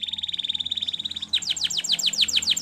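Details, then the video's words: Canary training song in which a steady pulsed trill gives way to a faster run of bright falling whistles repeated about eight times a second. "Make Your Canary Singing Again !! Listening"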